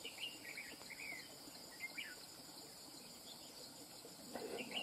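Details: Wild-caught red-whiskered bulbul with a running-phrase song style: several brief bursts of sharp, sweet whistled notes scattered across a few seconds, backed by a continuous shrill cricket drone.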